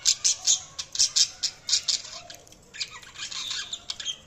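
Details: Budgerigars chirping: bright, high-pitched chirps repeated in quick bursts, about a dozen in the first two and a half seconds, then a denser, scratchy warbling chatter.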